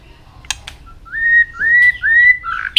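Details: White-rumped shama in a many-voiced training song: a couple of clicks, then long, smooth whistled notes gliding upward, ending in a short bright note.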